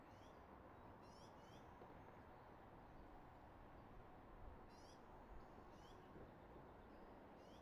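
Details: Eagle at the nest filmed by a nest camera in Redding on 24 March 2022 at 06:34, giving thin, high chirping calls in short bursts of rapid rising notes, two groups heard, over a loud steady rushing background.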